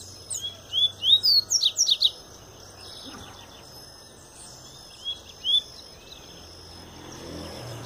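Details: Papa-capim, a Double-collared seedeater fresh from molt, giving its pure Tui Tui song: a rapid string of about eight bright, slurred whistles over two seconds, a pause, then two more notes, with constant high buzzing in the background.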